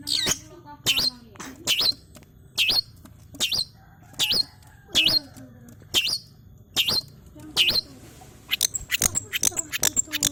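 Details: A long-tailed shrike practising its sounds, suited as a lure for lazy shrikes: sharp, clipped high notes repeated steadily about every 0.8 seconds, ending in a faster run of thin chattering chips.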